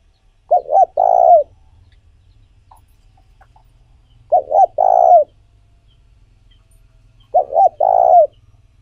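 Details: Three phrases from a spotted dove, a call played to excite and train decoy doves. Each has a pair of short coos and a drawn-out purring coo, spaced roughly every four seconds, over a soft low hum.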